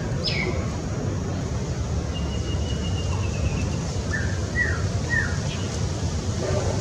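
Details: An introduced white-rumped shama sings in Taipei Botanical Garden, Taiwan, on 11 March 2020: faint clear whistles, a falling opening note, a long steady whistle, then quick down-slurred phrases, over steady low traffic rumble.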